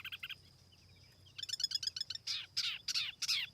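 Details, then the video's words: Silver-eared laughingthrush kept as a lure, singing at a distance: a few chirps, a burst of rapid trilled notes, then loud harsh downward-sweeping calls over a low hum. "TIẾNG CHIM TIỂU MI MỒI KHÔNG TẠP ÂM CỰC CHUẨN"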